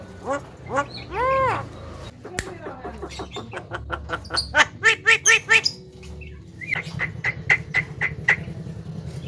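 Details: Javan myna praised as a good talker, mixing voice-like arched syllables, a sharp click, a fast series of dry ticks and squawky notes, then a row of short whistled pips.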